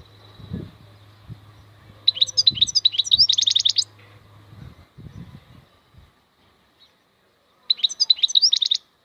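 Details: Maknine, a European goldfinch, delivers two quick twittering phrases of dense high trilled notes, preceded by soft low knocks and thumps, with a faint background hum.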